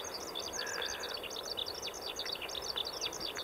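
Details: Eurasian skylark singing; the song is an unbroken stream of rapid, high twittering chirps and trills, run together with no pauses, over a soft hiss of outdoor background noise.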